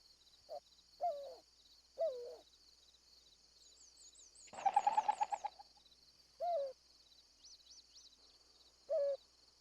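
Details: In spring courtship season in the southwestern United States, a White-winged Dove gives low, hollow coos in short phrases every second or two, with one longer pulsed run, over a steady high insect-like hum and faint warbling tones.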